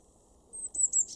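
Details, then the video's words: Garden-dwelling Eurasian blue tit in Weener, East Frisia, Germany, recorded in February 2023, gives a quick series of thin, sharp, very high notes, the last ones softer and blurred, with a quiet background. "blue tit"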